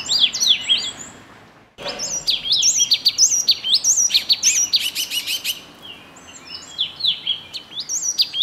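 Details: Yellow tit chattering: a busy, fast stream of high, clipped chirps and sharp ticks, briefly interrupted near the start, then resuming loudly with overlapping notes.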